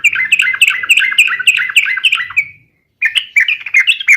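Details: Yellow-vented bulbul in full fighting song to provoke rival birds: a long run of fast, rolling chirps repeated several times a second, a brief silence, then a fresh burst of lively chatter.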